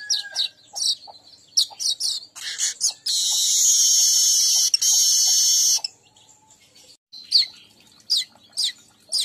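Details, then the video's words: Weaver sound for luring weavers: quick runs of sharp high chirps, then a long harsh, sizzling buzz lasting almost three seconds, then more scattered chirps. "Pancing burung Manyar"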